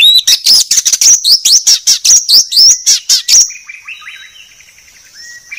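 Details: White-rumped shama masteran song, very clean: about three and a half seconds of fast, piercing high chips and twittering notes, then softer, lower whistles fading against a faint, steady high tone.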